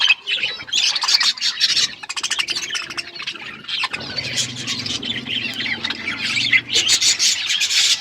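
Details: Budgies feeding and chirping: rapid bursts of high scratchy chatter and clicking notes, a pause with low hum, then renewed loud warbling chirps near the end.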